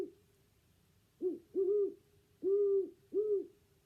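A Great Horned Owl gives four deep, soft hoots, the first short and the rest longer, in an uneven rhythm over about two seconds.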